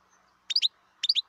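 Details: Wild European goldfinch giving two quick bursts of three bright, chirpy, tinkling notes, half a second apart, against a quiet background.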